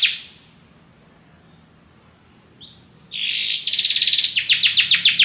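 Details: Belgian canary, a very powerful singer: a brief note, about three seconds of quiet, then a loud buzzy phrase rolling into fast, evenly repeated falling notes.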